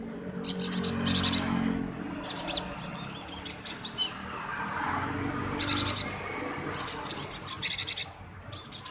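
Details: Talkative male cinereous tit, a lure to provoke other birds to sing: bursts of buzzy high repeated notes separated by short pauses, with low background noise in between.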